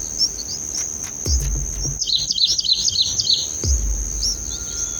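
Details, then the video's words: Bulbul nestlings in the nest being fed red cherries by their mother; a brief burst of high, thin, rapid chirping from the young over a constant high insect-like drone, with low rumbling thumps. "Mother Feeding RED CHERRY to SUPEEB ACTIVE babies | Bulbul Birds in Nest video"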